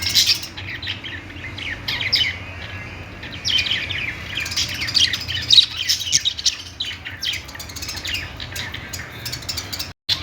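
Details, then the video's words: Budgerigars in bouts of fast, high, scratchy chirping separated by quieter stretches, with steady low hum and a brief dropout near the end. "budgies sounds | parakeet chirping sounds"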